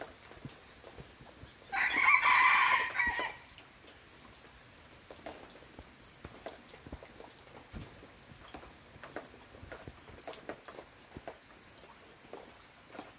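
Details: Loud, rough, buzzy crow from a red junglefowl, lasting about one and a half seconds. It is followed by a long stretch of soft ticking and patter-like noise.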